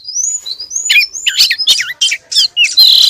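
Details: Female Oriental magpie-robin calling the male: clear whistled slurred notes near the top of the range, then a run of short harsh chirps and rasping bursts, loud and close.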